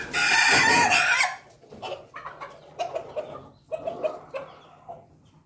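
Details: A Pelung rooster gives its loud, harsh "laughing" crow, then soft clucking notes trail off.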